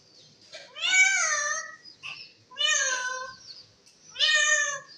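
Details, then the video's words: A talking rose-ringed (ringneck) parakeet gives three drawn-out, nasal, meow-like phrases, each rising then falling, about every second and a half in a quiet room. "parrot talking sound"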